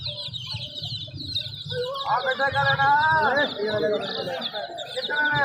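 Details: Many domestic chicks give rapid, high, repeated peeps throughout, overlapped by Hindi conversation and a loud, drawn-out human voice in the middle.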